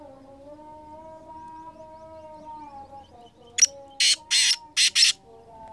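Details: Kala teetar, or black francolin, kept as a caller bird: a low steady tonal hum for about three seconds, then the bird's loud harsh call of four grating, rasping notes, the last two clipped close together.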